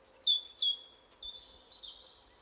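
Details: European robin singing in a forest during the spring breeding season to mark its territory: a short run of thin, high, crystalline whistles stepping downward, then softer warbled notes trailing off.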